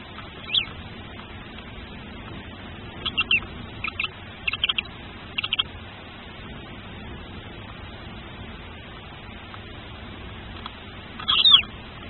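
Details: Tawny owl chick hatching in a nest watched by a nest camera: thin, high, brief peeps scattered across the recording, a few paired or tripled near the middle and a louder burst near the end, over a steady low hum.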